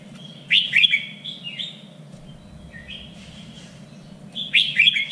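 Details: Contest-trained Red-whiskered bulbul in three-region standard style: a loud chattering warble near the start, quieter whistled notes in the middle, then another bright, clipped phrase at the end, with a faint steady hum behind.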